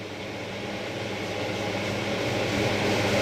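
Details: Continuous low mechanical drone with hiss, like a motor or fan, without any calls from animals.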